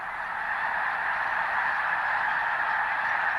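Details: A dense, continuous clamor of nasal honking from a large flock of migrating snow geese, white and blue forms, in Nebraska's Platte Valley in late winter, many calls overlapping rapidly with no silent gaps.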